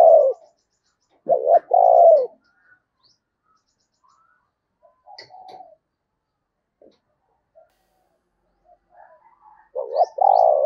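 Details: Spotted dove used as a decoy, calling to lure wild doves: low, hollow coos in short two-part bursts near the start and end, with a long quiet gap and faint scattered chirps between.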